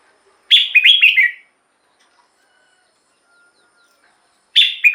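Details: A red-whiskered bulbul in a cage sings a lively phrase of quick, slurred whistled notes falling in pitch, then stays quiet for about three seconds before the next phrase begins. The song is played to excite birds or lure them.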